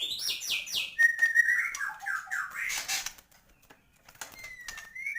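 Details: Rich song of a white-rumped shama to rouse other birds: descending high whistles, a long level whistle sliding into downward slurred notes, then near silence and a final thin rising whistle.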